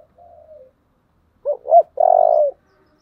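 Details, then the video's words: Spotted dove with the low 'thổ' voice style, giving its 'thúc' and calling coos: a soft, low opening note, then two short rising-falling coos and a long, steady, slightly falling coo. "Cu gáy giọng thổ/ chuẩn thúc và gáy gọi"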